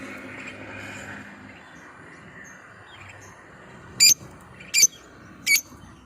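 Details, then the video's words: Lovebird luring call used to stir other lovebirds: after a quiet, hissy stretch, three separate high, shrill chirps spaced under a second apart. "suara pancingan burung lovebird"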